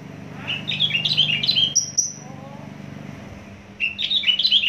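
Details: Javan bush lark, a Javan native, singing fast: a run of quick, jumbled, warbling high notes rising and falling, a short clear whistle, a quiet gap, then the twittering resumes, with low humming noise underneath.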